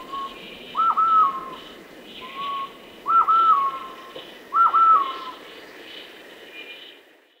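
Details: Golden-headed quetzal at Alto San Miguel giving clear, mellow whistled phrases, a short note then a longer slurred one, repeated about every two seconds over a faint insect hiss.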